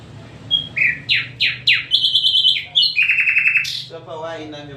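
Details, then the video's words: Loud falling whistles repeated three times, then rapid high stuttered notes and a dense trill, with a lower rattling passage at the end; nightingale song. "nightengale birds sounds طاٸر العندلیب"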